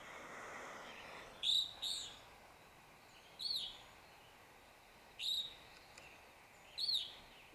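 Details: Evening grosbeak dawn song, flight calls combined with some trills: five short, clear, high whistled notes, each a quick slurred chirp, spaced one to two seconds apart over faint background hiss.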